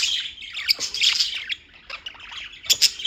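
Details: In New York, small birds keep chirping: a busy, overlapping chatter of thin, high squeaks and quick tweets, loudest at the start and near the end, with a short quieter gap around two seconds.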